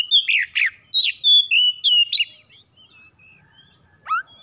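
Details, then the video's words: Home-kept oriental magpie-robin song used to quickly spur birds into full song: a fast burst of loud chirped and whistled notes for two seconds, then faint soft whistles and one sharp upslurred note near the end. "PANCINGAN CEPAT PAGI SIANG MALAM KACER RUMAHAN CEPAT GACOR"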